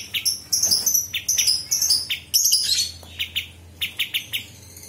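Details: Sooty-headed Bulbul singing, kept as a master recording for tutoring murai batu, cucak ijo and kacer. High, thin trills alternate with clipped chip notes, ending in a steady series of evenly spaced chirps.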